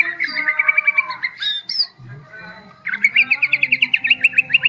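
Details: Medan white-rumped shama bowing low in song delivers fast repeated notes in a steady rattling series, a brief high squeaky interlude, then another rapid trill of evenly spaced chirps, about fifteen in under two seconds.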